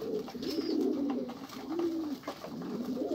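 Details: Pigeons giving deep, drawn-out bubbling coos that rise and fall, with one thin high whistled note early and soft clicking throughout.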